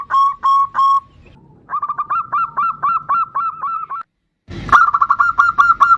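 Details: Zebra dove of the bodronoyo type singing actively, used as a lure to get other birds singing: clipped, mellow cooing notes in quick series, three notes, a pause, then a run of about nine, then a brief rustling thump before more notes.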